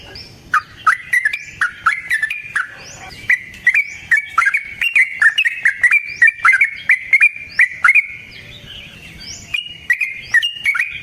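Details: Yellow-vented bulbul sings a long fighting song meant to provoke another bird. A continuous stream of quick, gurgling, slurred notes barely pauses across eleven seconds. Faint rising whistles and sharp clicks sound in the background.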